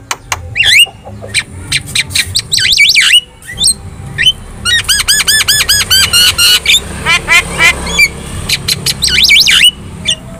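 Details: Javan myna delivering a chatty gacor song meant to draw responses from other birds: clicks and looping whistles, then long runs of rapid repeated arched chirps, ending with more swooping whistles.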